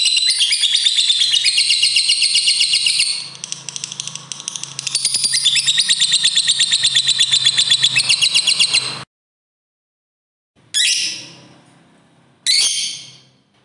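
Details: Fighter lovebird in long ngekek song to coax other lovebirds into singing: nine seconds of fast, shrill, chattering trill with a brief dip, then silence and two short, sharp bursts of high chatter.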